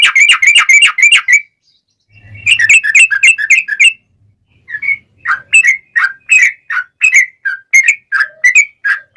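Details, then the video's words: Long rolling lure song of a sooty-headed bulbul: three bursts of fast bubbling chirps separated by short pauses, the last broken into spaced liquid whistled notes, with a faint low buzz in one gap. "SUARA trucukan gacor ROPEL PANJANG pancingan trucukan agar bunyi JADIKAN burung trucuk gacor NYAUT"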